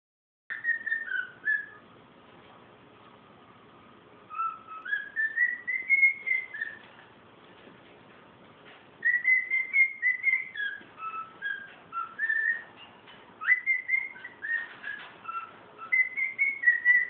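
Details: A male cockatiel whistles a tuneful song of clear rising and falling notes, broken by short pauses; he tends to fall silent when a camera comes out.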